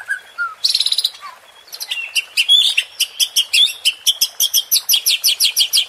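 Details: White-rumped shama song used as a provoking lure to stir up competition birds: a low whistle, a fast buzzy burst, then a long run of bright, rapid, evenly repeated high chips and trills.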